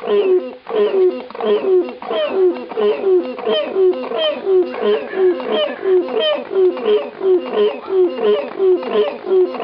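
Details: African cranes at the Los Angeles Zoo, California, on 14 September 2016 trade honking, harmonic calls, about two a second in a steady overlapping chorus, each note dipping slightly in pitch.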